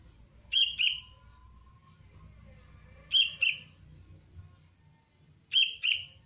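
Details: Young sooty-headed bulbul in basic training as a cengkram-style lure bird, giving bright paired chirps, two quick notes, repeated about every two and a half seconds over a steady high whine and low background rumble.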